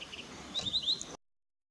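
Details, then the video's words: At Eaglenest, India, a Verditer flycatcher gives a brief run of three or four thin, high chirps over soft background hiss, then falls silent. "Flycatcher Verditer"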